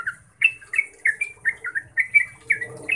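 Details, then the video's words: Yellow-vented bulbul in rapid 'ngeropel' song used to make other bulbuls reply and sing. Quick bubbly notes follow each other every third of a second, some gliding downward, over a soft low rumble. "Trucukan bakal NYAUT dan GACOR setelah dengar BURUNG Trucuk ini NGEROPEL"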